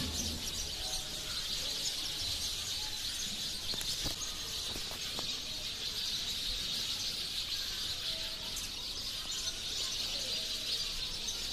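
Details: Thousands of sparrows gathered in a mulberry tree near human settlements, giving a dense, continuous wash of high chirping with no pauses and a few soft low knocks in the background.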